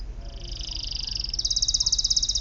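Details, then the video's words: Canary delivering a fast, buzzy, pulsed trill that holds steady, then jumps higher and grows louder and more rhythmic. "Kenari manapun pasti bunyi"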